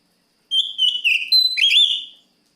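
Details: Single continuous phrase from an oriental magpie-robin (kacer) calling a rival: bright whistled notes gliding down and up, ending in a rising slurred flourish, strong and clean.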